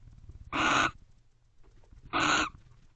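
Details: Wild barn owl pair guarding their nest box at night, 30 November 2023, 12:30 am: two long, harsh hissing shrieks about one and a half seconds apart over a low hum.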